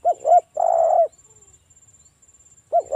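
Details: Luring song of a local spotted dove in Ngalas style, meant to make other doves answer: two brief arched coos, a long steady coo, a pause, then another coo beginning.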